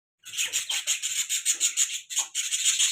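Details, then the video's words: Budgie chirping in a rapid series of harsh, buzzy, scratchy pulses, about four per second, with a brief break midway before the scratchy chatter resumes. "budgie chirping sound"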